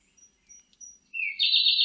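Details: Siberian blue robin song: a few thin, faint high notes, then a loud, rapid buzzy trill that rises in pitch and holds steady to the end, over a quiet background.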